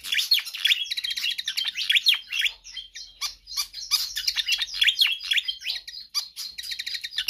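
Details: Pied fantail in energetic, nonstop song, suited to tutoring or luring other birds: continuous loud high chirps, squeaks and downward-sweeping whistles packed together without a pause throughout.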